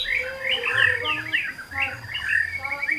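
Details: White-rumped shama in kretekan song, used to rouse rivals into singing, pouring out a continuous run of varied, slurred whistles that rise and fall at mid pitch, with faint low background hum.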